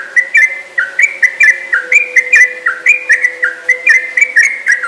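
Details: Yellow-vented bulbul singing a long, energetic rapid series, the 'ropel panjang'. Clear whistled notes step up and down in quick pairs about twice a second, running continuously, with a faint steady low hum behind them.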